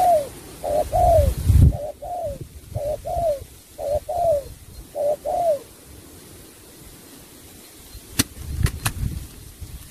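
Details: Spotted dove in 'sắm bầu bạch đề' style: clear paired coos, the second note sliding down, repeated for six seconds, then quiet with a few sharp clicks.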